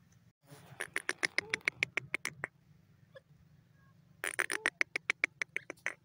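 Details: Grey francolin, known locally as teetar, calling in two bursts of loud, harsh, rapidly repeated notes. Each series lasts about two seconds and is separated by a quiet pause, with a faint low hum underneath.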